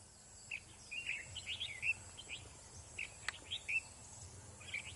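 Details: A wild-caught red-whiskered bulbul in moult sings short, bright, chirpy phrases of a few quick notes, repeated about every half second to second; one sharp click breaks in over faint background noise.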